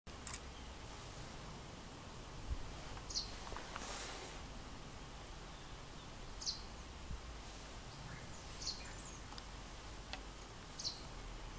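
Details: A male Russet sparrow guards its nest hole near a female at Togakushi on 17 May, giving short, high, thin chirps every two to three seconds over a steady outdoor rumble of wind and distant noise.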